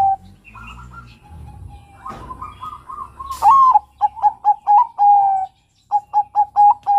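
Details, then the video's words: Young male zebra dove of Bangkok stock cooing: soft warbled notes give way to a loud rising note, a quick series of short coos and a long coo. After a brief pause, more staccato coos follow. "Panggilan SUARA Perkutut Bangkok KUTUT bangkok PINTAR Bikin BUNYI Perkutut Jantan REMAJA MUDA"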